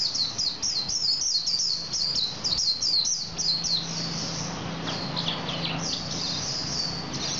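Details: Male Javan white-eye in lively, vigorous song: rapid runs of high, sharp chirping notes in dense bursts for the first three seconds, then fainter continuing twitters over steady low background hum.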